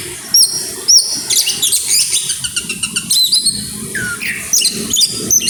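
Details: Oriental magpie-robin in grabakan mode, letting out isian phrases: abrupt loud high whistles separated by short gaps, clusters of quick ticking notes, and a downward curling whistle near the end, faint low background noise.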